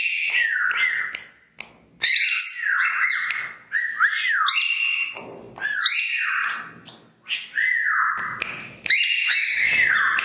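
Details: Indoor female cockatiel dancing with head bobs while serenading in a sweet whistle song: nearly continuous run of rising and falling slurred whistles, some buzzy overtones, and brief clicking sounds between phrases.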